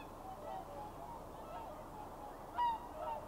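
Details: Swans at their winter lagoon roost in early morning before flying off to feed in rice fields: a single loud, nasal honk near the end, fainter honking behind, over a steady murmur of distant birds.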